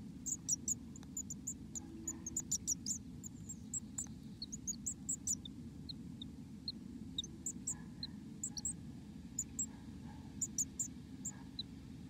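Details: Black-capped Chickadee recorded inside the nest: thin, very high chips and peeps come in scattered bursts, several per second at times, over a steady low rumble.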